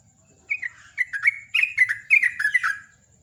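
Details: Sooty-headed bulbul singing in the morning in the chattering ngecruk style: four quick bursts of bubbly, gurgling notes that step downward, given about every half second, over a faint steady high tone.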